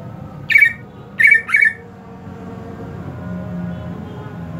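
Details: A captive greater green leafbird, kept during the hot season, gives three short, harsh, scratchy notes, one and then a quick pair, over a low indoor hum.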